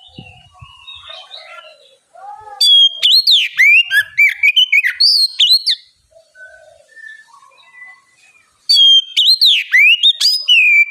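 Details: Oriental magpie-robin in loud, constant song, used as a lure to prompt other young magpie-robins to answer: soft, low warbles at first, then bursts of piercing whistled notes with sharp rising and falling sweeps, pausing midway before another loud burst.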